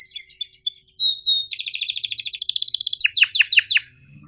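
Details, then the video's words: Domestic canary giving an energetic 'cuit ngerol' song used to coax quiet birds and teach young ones: high chirps and whistles, a dense rolling trill, then four loud descending slurred notes, fading at the end. "MASTERAN KENARI GACOR PANJANG EPS24 Cuit NgeroL TAJAM, Untuk Kenari SUSAH BUNYI & Paud belajar bunyi"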